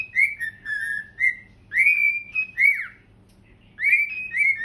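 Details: Two pet cockatiels singing and dancing together on a couch indoors in September; clear whistled phrases that slide up and down, some notes rising sharply and others falling, in bursts with short pauses, over a faint low hum.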